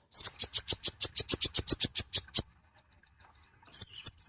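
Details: Mouse-colored sunbird (kolibri ninja, konin), a tiny, loud nectar-eating bird, singing gacor: a rapid run of about fourteen high, sharp chirps, then a pause, then three quick rising, upslurred notes.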